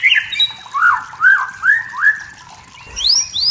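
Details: Wild forest white-rumped shama singing to provoke rivals: a run of clear whistled notes, several short slurred phrases falling and rising, ending in higher sweeping whistles.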